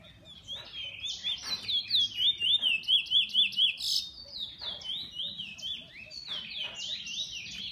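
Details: Song of a bullfinch kept by its owner: a bright, rapid trill of evenly pulsed zigzag notes, about four per second at its loudest, woven into fast high twittering.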